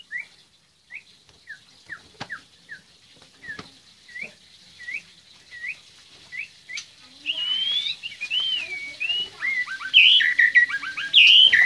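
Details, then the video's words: Caged white-rumped shama (murai batu) at an online songbird contest in Magelang: a series of short, evenly spaced whistled notes, then a louder, richer burst of fluid warbled phrases with rising and falling whistles. "Lomba Burung Online Murai Batu"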